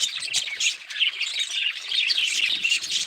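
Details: Budgerigars calling in a dense, continuous stream of high, scratchy chirps and squawky warbles that overlap without pause, with brief louder bursts throughout.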